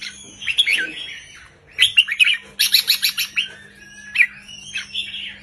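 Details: Caged red-whiskered bulbul giving a brief, simple song in the counting style 3-4-5: sweet warbled notes, then a run of about six rapid, evenly spaced chirps and a trailing whistle, over a low hum.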